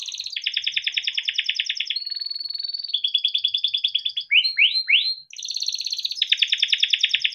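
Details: Long gacor song from a kept yellow canary, used to coax other canaries into singing. Dense buzzy trills and a steady whistle lead to three loud downward-sweeping chirps, then the rolling trills resume.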